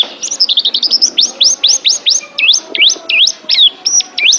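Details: Oriental white-eye (pleci) singing for a pet-bird training recording: a quick twittering start, then a regular series of high, sharply sweeping whistles, roughly three per second, some dipping in a V shape.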